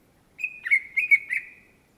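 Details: Greater green leafbird (cucak ijo) singing a short rapid phrase of clear whistled notes with quick downward slurs, lasting about one second against a quiet background.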